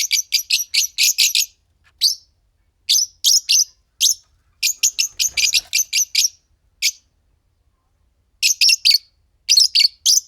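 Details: A green Fischer's lovebird pair chattering and singing: long rapid runs of piercing, high chirps, broken by short pauses and resuming in quick clusters.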